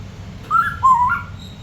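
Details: Pet Congo African grey parrot indoors, just beginning to try talking. It gives two short whistled notes: a higher slurred note, then a lower, slightly longer note that rises at the end. A person speaks quietly around it.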